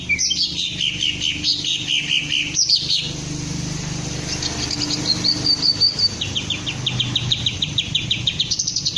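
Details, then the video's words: Green leafbird trained to crest up and sing ngentrok, opening with descending slurred whistles, then a thin high trill, ending in a quick ladder of repeated chips; low hum underneath. "Cara melatih Cucak Ijo agar mau njambul dan ngentrok"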